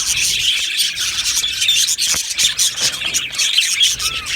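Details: Aviary colony of Australian budgies chirping and warbling: busy, high, overlapping twitters with sharper squeaky notes popping out, and a short rising whistle near the end.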